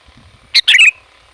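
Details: Sooty-headed bulbul, a lure call for wild bulbuls. One sharp chip is followed by a rich, gurgling, slurred flourish lasting less than half a second, with quiet low rumble around it.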